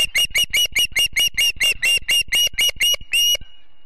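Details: Ospreys of a Montana family at the Charlo nest on a September morning, live nest camera: a rapid run of about fourteen sharp, whistled chirps, roughly four per second, each with bright overtones, stopping abruptly after three and a half seconds.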